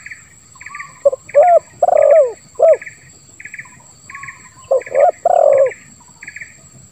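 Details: Spotted dove (tekukur) cooing in the 'lambung kuk 1' style with a rasping 'ngeruk' tone, played to get silent doves calling. Two low coo phrases, each ending in a long burred note, over steady pulsed chirps.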